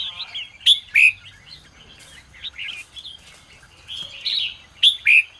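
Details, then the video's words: Red-whiskered bulbul singing in the morning, used to train and stir up other bulbuls. Loud, sharp whistled phrases around 0.7, 1 and 5 seconds, with quieter warbling notes from other birds between them. "chào mào hót sáng QUÁ HAY - CHÉ KÍCH BỔI CĂNG ĐÉT"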